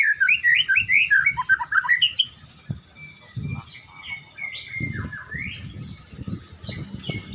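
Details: Caged white-rumped shama warming up before a bird singing contest: loud rapid warbling run of bright whistled and twittering notes, falling then jumping high, followed by softer scattered whistles over low rumbling background noise.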